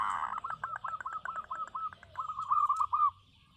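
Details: Local zebra dove song: a rapid train of short clipped cooing notes after a brief burst of noise, slowing into a smoother rolling trill that ends abruptly.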